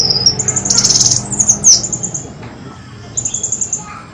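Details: Sunbird lure recording, clean-toned, for luring birds: a short run of sharp high twittering notes, then a sparser stretch of faint thin chirps over a low background hum.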